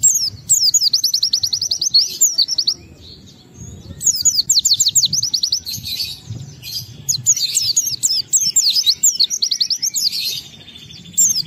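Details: Oriental white-eye (pleci) singing ngalas style to provoke other white-eyes: repeated bursts of rapid, high, evenly spaced descending notes forming shimmering trills, separated by short pauses, with buzzy chatter between.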